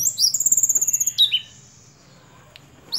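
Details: High thin song of a Sunda robin, tledekan gunung in the local name: a very high rapid pulsed trill sliding downward, then a short lower slurred note, followed by near silence.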